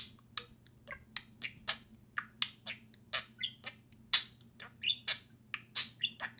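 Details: Pair of pet budgerigars playing and talking: harsh squawky chirps and clicking notes repeated in a lively, irregular rhythm, with a constant low indoor hum.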